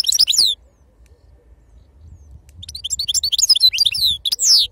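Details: European goldfinch singing in authentic wild-type 'khalawi' song style: a bright burst of high twittering notes, a quiet gap, then a rapid run of tinkling, liquid chirps and a final descending whistle.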